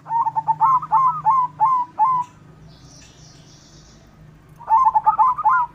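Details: White zebra dove singing persistently, a song meant to draw other doves into singing and raise breeding drive: fast runs of short hooked cooing notes for about two seconds, a quiet gap with a faint hiss, then the cooing resumes.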